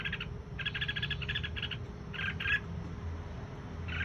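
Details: Red-whiskered bulbul (Pycnonotus jocosus), song.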